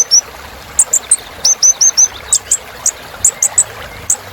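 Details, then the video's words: Kolibri ninja filler song for stimulating birds: scattered sharp high ticks and a run of four short falling whistled notes, spaced irregularly, against a soft constant background hiss. "Suara Kolibri Ninja Isian Mewah Bikin Burung Semangat"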